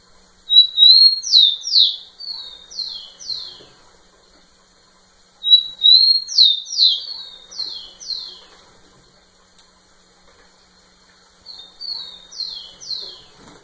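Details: Rufous-collared sparrow singing a lot right in front of a female: three songs about five seconds apart, each a thin high whistle followed by a run of five or six sweet downslurred whistled notes, the last song softer.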